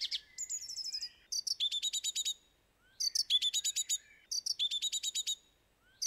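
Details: Song thrush singing: loud, clean phrases of rapid repeated notes, each phrase a short burst of five to eight sharp chips, separated by brief pauses, bright and high-pitched with no other sounds.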